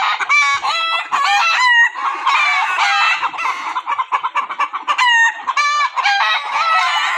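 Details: Several roosters crowing one after another and overlapping, loud drawn-out cock-a-doodle-doo phrases with wavering ends, in a compilation of crowing.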